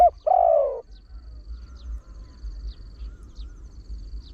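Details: Deep-voiced trained Spotted Dove, kept to attract wild birds. One short hoot runs into a single long, sliding, downward coo, followed by quiet with soft high ticking and a low rumble.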